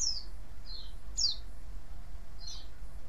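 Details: White-eye call used to draw other white-eyes to answer: high thin descending chirps, single and paired notes spaced about a second apart, over steady low background hum.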